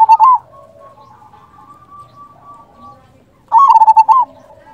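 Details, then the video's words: Local zebra dove lure song: a short loud burst of rapid coos at the start, then a quiet stretch of faint distant cooing, and a second loud stuttering phrase after about three and a half seconds. "Perkutut lokal gacor Pancingan ampuh sekali putar suara ini 100% bikin nyaut"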